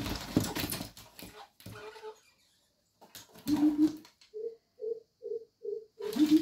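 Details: Two greater coucals at a window give deep, hollow hoots, each making a different call, in a steady run of about five notes, with a lower, muffled series before and after; rustling and handling noise open.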